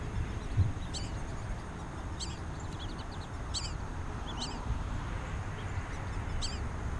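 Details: Black-bellied whistling ducks accompanied by juveniles, filmed at Twin Lakes in Diamondhead, Mississippi, 2017; brief high whistled notes spaced a second or so apart over constant low-pitched background noise.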